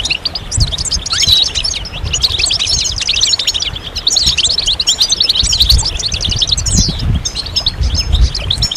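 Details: European goldfinches in a group chorus, used to stimulate goldfinches out of moult: dense overlapping high twittering and tinkling notes, fast and continuous, with many birds singing at once and a low rumble beneath.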